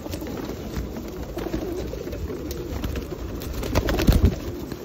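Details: Feral pigeons being fed at Osu Kannon on a rainy day in 2021: a low murmur of overlapping cooing from the flock, with a burst of louder flapping and scuffling near the end.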